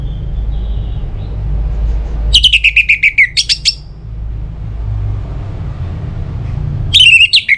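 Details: Orange-headed thrush singing, a recording intended to make other birds sing. Two bursts of rapid downslurred whistled notes are separated by several seconds of low background hum.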